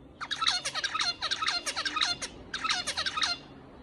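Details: A white finch sings in rapid bursts of thin, buzzy chirps, with stuttering notes repeated several times a second in two phrases separated by a short pause.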